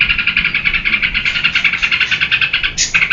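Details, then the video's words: Yellow-vented bulbul song used as a lure for training cage birds: a fast, steady run of short buzzy notes repeated several times a second, with a brief higher note near the end. "SUARA TRUCUKAN GACOR UNTUK PANCINGAN DAN MASTERAN"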